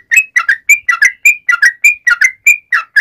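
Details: Calling its companions, a sooty-headed bulbul gives a steady run of bright, bubbly whistled notes, paired and single, about three per second, in a clean quiet recording.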